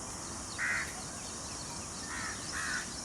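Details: Indian peafowl, a peacock in natural surroundings, giving two short loud nasal calls, one early and one near the end, each under half a second, over steady insect and rural background hiss.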